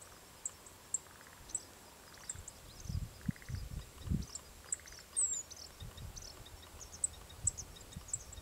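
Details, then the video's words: A male Japanese reed bunting (ochre-rumped bunting) calls in highlands of Kumamoto prefecture, Japan, with thin, very high chips about once a second and short buzzy rattles lower down, over rumbling wind. "Japanese Reed Bunting (Ochre-rumped Bunting) Calling"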